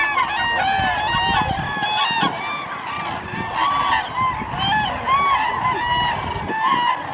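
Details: A flock of common cranes at Lake Hornborgasjön trumpets loudly, with many overlapping rolling, bugling calls over faint low murmuring.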